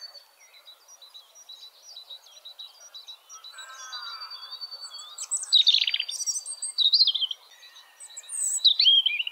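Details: A European robin sings in nature: high, thin, wavering phrases, some sweet and drawn out, others quick trills, with short pauses between bursts; faint background chirps.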